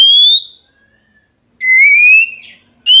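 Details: Oriental magpie-robin singing to goad rivals into replying. Two long, pure, gently rising whistles are separated by more than a second of near silence, with a faint low whistle in between.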